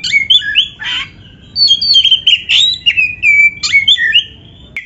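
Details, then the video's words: Oriental magpie-robin (kacer) in full song, played as therapy to rouse lazy caged birds into singing: loud, varied run of whistled and slurred notes, sharp chips and upward sweeps, phrases tumbling one after another. "TERAPI KACER GACOR DONGKRAK BIRAHI DAN EMOSI BUAT KACER MALAS BUNYI"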